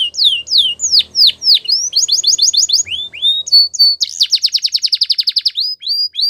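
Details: Song of a Belgian canary meant for training young canaries, with bright downslurred notes, quick trills, a few rising whistles and a long fast rattle of repeated notes; faint low background hum.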